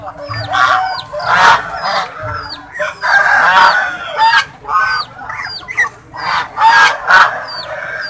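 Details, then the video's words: Kept swans calling in a group: loud, harsh, nasal honks in short bursts roughly every second or two, with many thin, high, downslurred squeaky whistles between them. "The Sound of SWAN"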